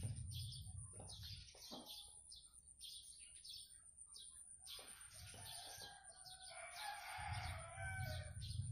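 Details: Blue-crowned hanging parrot giving quick, high chirps in repeated bursts, a busier squeaky warble near the end, with low rumbling handling noise at start and finish.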